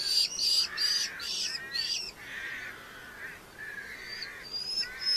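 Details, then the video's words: Red-footed falcon at a nest in Polgár, Hungary, during the 2024 breeding season: quick, harsh, high chattering notes, about five in the first two seconds, then softer, drawn-out scratchy calls. "Red-footed Falcon Nest"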